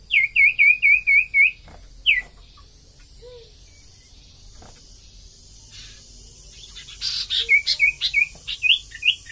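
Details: Common iora song used to lure birds. Strings of rapid, looping whistled notes come in bursts of about six, then a silent stretch. A hissy rush leads into a further run of whistled notes.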